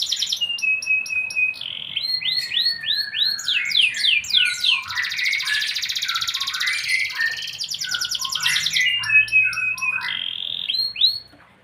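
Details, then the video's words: Canary singing continuously: fast rolling trills, sweeping whistled slurs and buzzy rattling passages, loud and clear throughout with almost no background sound. "Ekspresi burung kenari berkicau"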